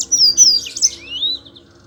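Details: Brief phrase from a Yellow-fronted canary's rolling song, meant to draw song from lazy Mozambique canaries: high, thin, sweeping whistles with a buzzy knot, ending in a long down-slurred note.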